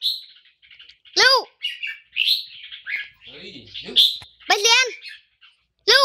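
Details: A caged Red-whiskered bulbul from Hua Hin gives bright, warbling phrases mixed with loud, rich arching notes every second or so, while its owner talks softly and praises the song as competition-winning.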